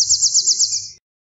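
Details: Eurasian wren song fragment: a single fast, high trill of evenly repeated notes lasting about one second, with a faint low rumble underneath.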